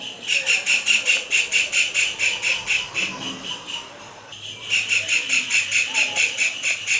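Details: Kingfisher giving its calling song while dancing, a long run of shrill, evenly pulsed squeals at roughly four per second, broken by a brief pause before the series starts up again.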